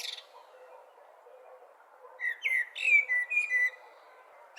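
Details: Blackbird with one brief phrase of clear, mellow whistled notes gliding downward in steps after a quiet pause, set against faint background hiss.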